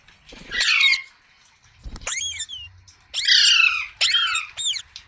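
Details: Ringneck parrot kept as a pet uttering loud, grating high squawks and a short twisting call, in four or five bursts separated by silence.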